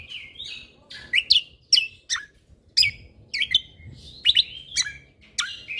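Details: Lesser green leafbird singing energetically in captivity: a run of sharp, downward-sweeping chips and short whistles spaced irregularly, with a few warbled phrases at the start.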